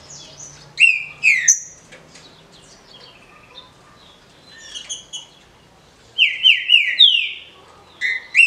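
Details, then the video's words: Captive green-winged saltator, kept in a legal, authorised breeding setting, singing the 'de roda' song style; clear whistled phrases of slurred descending notes in short bursts separated by pauses, with a faint low hum. "TRINCA FERRO DE RODA (CANTO FÁCIL)"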